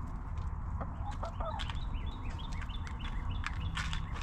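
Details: Backyard hens in a cozy coop let out a brief cluster of soft, stacked clucks early on, while small chirping birds call repeatedly with quick rising notes through a constant low background hum.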